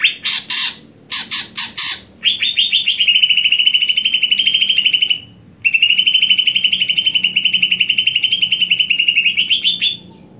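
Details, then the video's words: Greater green leafbird performing stelan cucak hijau song: a few harsh squawks, then long fast trills of repeated notes holding a steady high pitch, broken by one short pause. "Apakah Stelan Cucak Hijau Bisa Di Patenkan"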